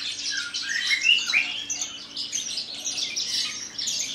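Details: Captive Javan bush lark, native to Kulon Progo in Indonesia, singing in the Jambul style while trembling its wings. It pours out loud, tumbling, high-pitched twitters with a few clear upward-slurred whistles near the start.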